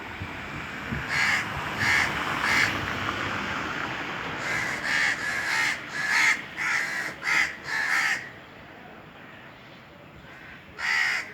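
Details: On a hot summer day, Indian crows caw from a treetop: a trio of harsh caws, then a fast run of six or seven overlapping caws, a quieter gap, and one last loud caw.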